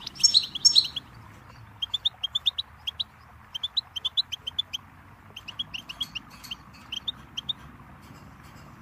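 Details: Goldfinch song: quick runs of short, bright chirping notes repeated in bursts, with a louder, higher twittering phrase at the start and a soft low hum underneath.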